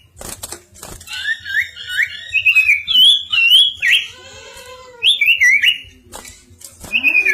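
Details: Bar-winged prinia in full song: rapid runs of wavering, warbled whistles that rise and fall, mixed with short chirps. Midway a lower, nasal bleating sound intrudes briefly before more whistled phrases follow.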